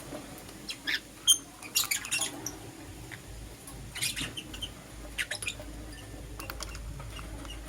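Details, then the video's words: Morning chirping from lovebirds, a green Personata and a yellow pastel pied: clusters of shrill, scratchy high chirps come in bursts every second or so, with quieter gaps and a faint constant background hum. "Lovebird Chirping Sounds - Green Personata & Yellow Pastel Pied"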